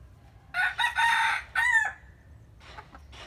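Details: Rooster crowing in the morning: a loud harsh cock-a-doodle-doo in segments, a short note, a long sustained note, then a falling final note, followed by faint clucks.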